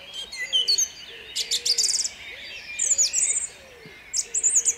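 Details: Song thrush singing at dawn in Jabłonna, 29 April 2021: loud, varied phrases of short whistled and chattering figures often repeated, with faint low hooting from another bird beneath.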